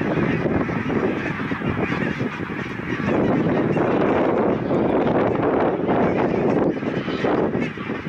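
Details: Greylag geese newly arrived for winter from Iceland gather in their thousands near Kilchoman, Islay, Scotland, in October 2020. Countless nasal honks overlap into a thick, continuous roar that swells slightly midway.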